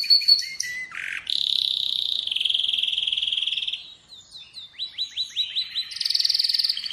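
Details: Song of an Atlantic canary: quick chips lead into a long buzzy rolled tour, then a run of separate upslurred notes, ending in a bright high trill.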